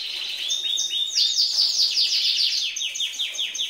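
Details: Canary hen, green, singing like a male and exciting males. Bright high song of rapidly repeated downslurred notes over a steady whistled tone, rolling on evenly throughout.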